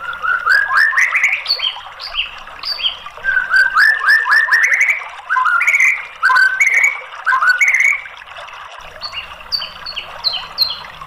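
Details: White-rumped shama lure song for a silent bird: lively strings of short rising and falling whistles in quick bursts, with higher thin notes near the end and a few pauses between phrases.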